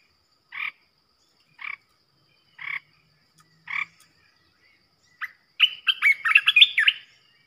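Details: Red-whiskered bulbul decoy sound, meant to provoke other bulbuls: four short harsh notes spaced about a second apart, then a fast, lively phrase of jumbled whistled and chirping notes.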